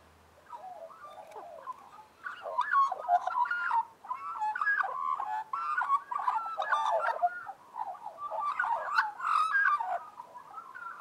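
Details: A gang of Australian magpies warbling in harmony: a dense, continuous chorus of gurgling, fluting and clicking notes that rises after a quiet start and keeps going for about ten seconds.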